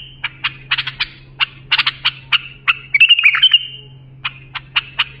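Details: A bulbul's song for training young birds: clusters of staccato chipping notes, a sweet warbled phrase in the middle, then more widely spaced single notes, with a constant faint hum.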